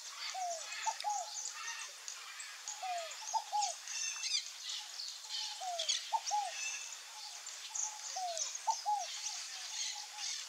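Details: Scaled dove, known in Portuguese as fogo-apagou or rolinha-cascavel, repeating a low three-part coo, one down-slurred note then two quick clipped notes, about every two and a half seconds, over faint high chirps from other birds.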